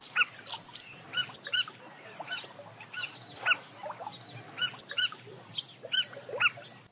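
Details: African Skimmer flock in Southern Africa giving harsh, yelping calls, some sharp and doubled, irregularly about once a second over a chattering background.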